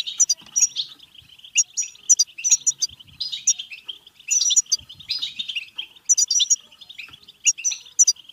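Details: European goldfinch in bebteh song, aimed at stimulating song and mating: repeated bursts of high metallic twitters over a steady buzzy undertone.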